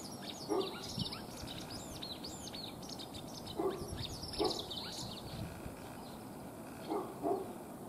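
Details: A white wagtail sings while walking beside a puddle as swallows gather nest material nearby: a steady twitter of thin, high chirps and quick slurred notes, with a few dull low thuds and a soft outdoor hiss underneath.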